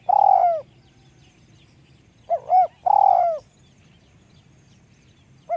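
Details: Spotted dove with a small, high voice: a long burry coo, then a full phrase of two arched notes and another long vibrating coo, with the start of a further phrase at the end.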